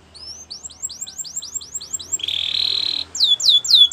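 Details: Canary song used for training, with a run of evenly repeated rising-then-falling whistled notes, a sustained buzzy trill in the middle, then louder swept notes at the end.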